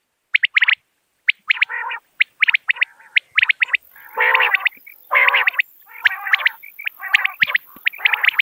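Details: Common quail calls: after a short silence, quick high clipped triplets alternate with longer, low, nasal, buzzing bursts. Calls overlap in the second half, over a faint high hiss.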